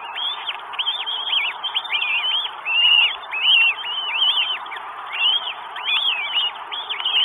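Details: Northern goshawk in Estonia, 12 May 2022, bird arriving with food: insistent series of loud, looping whistled calls, close together and overlapping, each rising and dropping in pitch.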